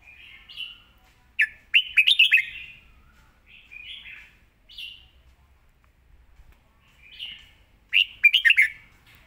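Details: Red-whiskered bulbul song, praised for clear phrasing and a quick, clean delivery. Two loud bursts of sharp up-and-down whistled notes, about six seconds apart, with quieter warbling phrases between them.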